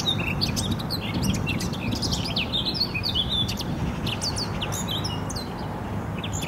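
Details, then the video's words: Eurasian blackcaps in song in Poznań, Poland, spring 2018: dense, rapid chattering and sharp high notes in rambling phrases, set against a continuous low-pitched background roar. "Kapturki ... pięknie śpiewające ptaki."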